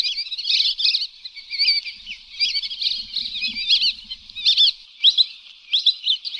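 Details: Lesser whistling duck calls from a recording used as a hunting lure: dense, overlapping high whistled chirps and twitters, rapid and continuous, with bursts roughly every half second and no other clear sounds.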